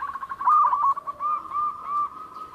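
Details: Local zebra dove singing vigorously, its voice said to have a distinctive character: a rapid run of low cooing notes that swells into louder rolling coos, then softer repeated coo phrases.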